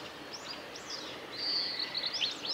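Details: Male blue-and-white flycatcher in song along the Kanazawa forest road, Lake Miyagase, Japan, on 17 May 2020: varied high whistled notes, some sweeping upward, building into a fuller, louder phrase against steady ambient hiss.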